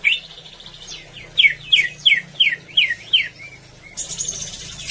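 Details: Greater green leafbird (cucak ijo) song used to get birds singing: a run of bright down-slurred whistled notes repeated about three per second, then brief steady tones and a final burst of high hissy sound.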